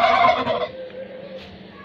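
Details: A single loud, rolling gobble from a turkey lasts under a second as the bird answers the cry of takbeer. A faint low hum and soft murmuring follow in the background.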